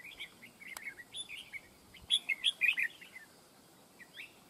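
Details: In a fight trap, a red-whiskered bulbul used as a decoy sings soft warbled notes, then a louder run of about six bright, bouncing whistled notes in quick succession.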